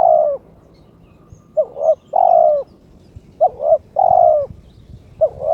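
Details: Kept spotted dove (terkukur), a male in breeding condition, cooing to challenge a rival: phrases of two short, clipped notes followed by a long, slightly falling hoarse coo, repeated several times against a quiet background.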